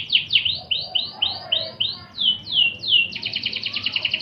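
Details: Clear loud canary song used to train magpie-robins, with a slow series of down-slurred sweeping whistles about three per second, ending in a fast pulsing double-toned trill.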